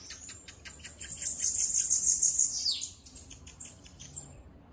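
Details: Free bananaquit singing a sharp, very high pulsed trill of quick bead-like notes that ends in a descending swoop, followed by quieter scattered ticks.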